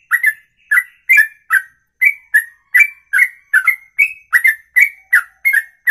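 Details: Long ropelan-style song, said to last over two minutes in a single breath, from a songbird: steady chain of clear, sharp whistled notes, each a quick downslur or upslur, repeated a little over once per second.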